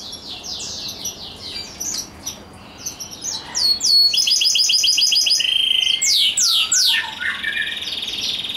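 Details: Song of a rosefinch crossed with a canary, a hybrid mule: rapid high sweeping notes, then a run of repeated metallic trilled phrases, ending with upward-rising whistled slurs and a sustained high trill.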